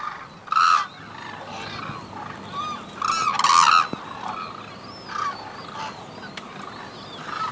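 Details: Courting white-naped cranes calling to each other in the unison call. A few loud, harsh honking bursts stand out, the longest a clustered volley near the middle, separated by quieter stretches over a steady background hiss.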